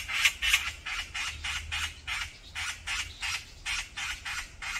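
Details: Fighting brown-eared bulbuls in a group on a mountain give rough, buzzy squawks in a steady rapid string, roughly four per second, loud and overlapping.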